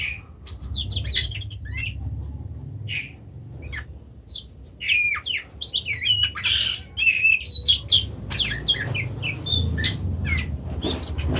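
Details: Oriental magpie-robin from Indonesia delivering a varied string of sharp chirps, whistled slurs and scratchy squawks, sparse at first and then densely packed, with a low background rumble.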